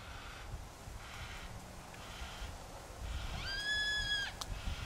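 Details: Yellow-tailed black cockatoo from a group in the Royal National Park, Australia, near Heathcote oval. One drawn-out, wailing, harmonic-rich call rises slightly and then holds. It plays over a steady pulsing background noise.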